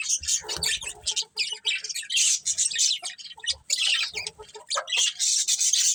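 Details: Budgerigars in a colony with a breeding pair, kept birds, giving dense bursts of high, scratchy chirps and squawky chatter, several voices overlapping with brief pauses and low thumps beneath.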